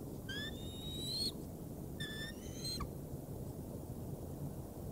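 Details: Bald eagle bringing prey into the Decorah North nest on 3 March 2019: two fairly faint, high thin whistled calls about a second apart, each rising slightly, followed by quiet background hiss.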